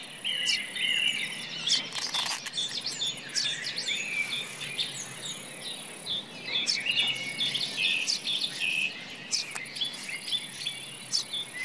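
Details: Common nightingale in a forest, giving repeated clear whistled notes and quick chirping phrases among overlapping bird calls, with a constant thin high-pitched buzz behind.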